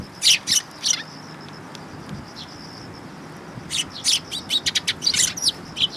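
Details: Sparrows arriving to be fed at Mizukami Bridge on 6 September 2022: sharp, high chirps in quick bursts, a few at the start, then a dense run of repeated tweets in the last half, over a faint steady hiss.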